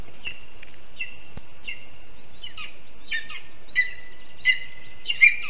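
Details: Lesser spotted eagle at a nest in a spruce in Zemgale, Latvia, at 12:24 p.m. on 5 July 2022: the male brings a huge water vole to the female. Thin, high yelping calls repeat about once a second, some sliding downward, over steady faint background hiss.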